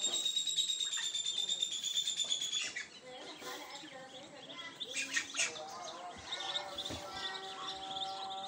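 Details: Ducklings with their mother swimming in a tub: rapid, high, thin peeping chirps about three per second, steady at first, then mixed with human voices and sustained tonal sounds.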